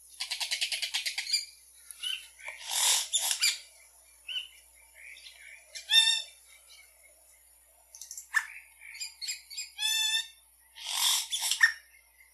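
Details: ['Yellow-rumped cacique song: varied mix of harsh rasping bursts, rapid clicking rattles, liquid whistled notes and nasal harmonic calls, delivered in irregular phrases with brief pauses, against a faint steady high hiss.']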